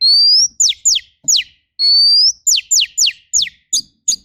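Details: Oriental magpie-robin in a rough 'tembakan kasar' fill-in song for bird training: long, slightly rising high whistles alternate with quick steeply falling sweeps, about four notes a second, on a quiet background.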